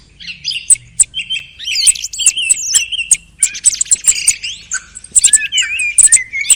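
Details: Thrush singing near the end of the hunting season: dense, high chirps and whistled phrases with buzzy notes and rising slurs, delivered in quick overlapping bursts with short gaps.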